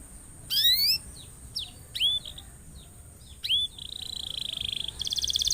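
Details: Canary song used to get other canaries singing and in form: a rising harmonic sweep, several swept whistles, then a steady buzzy trill and a faster rattling trill at the end.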